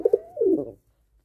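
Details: Pigeon on the day its second chick hatches, one day after the first: two short, low, clipped notes, then a brief, falling cooing phrase, all over in under a second, with quiet afterwards.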